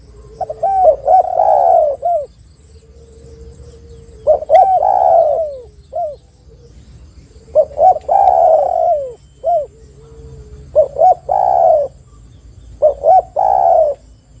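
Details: Spotted dove lure calls meant to get other doves singing: a series of phrases, each two or three short notes ending in a long mellow coo, spaced a few seconds apart over a faint hum and high whine.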